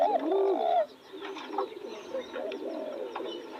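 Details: Spotted dove near fresh roses opening with one loud soft hooting coo, followed by faint overlapping coos from other doves.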